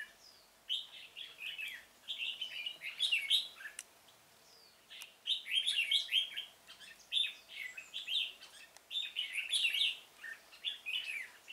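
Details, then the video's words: Red-whiskered bulbul used as a decoy to lure birds into a trap in a pomelo garden, recorded 25 October 2017; loud bubbly whistled phrases rising and falling, delivered in two bursts separated by a short pause, with scattered sharp chirps. "Bẫy chào mào Vườn bưởi độc thung chơi sịt cả mồi"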